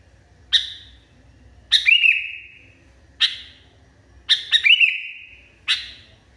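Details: Sooty-headed Bulbul singing excitedly: single clipped chirps alternate with doubled or tripled notes that slur into a lingering ringing tone; five bursts spaced irregularly, with quiet gaps between.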